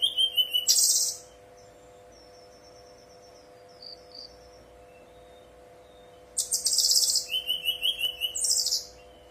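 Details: Lure song of a brown-chested jungle flycatcher, meant to make other birds answer: a rough high burst and low whistle, a long pause with soft faint twitters, then a longer run of shrill buzzy trills and repeated whistled notes, over a low hum.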